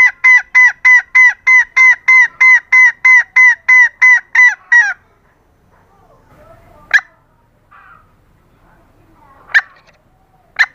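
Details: A female green junglefowl calls to lure males with about fourteen loud, regular nasal honks over five seconds, then falls quiet except for a few faint rustles and three sharp clicks.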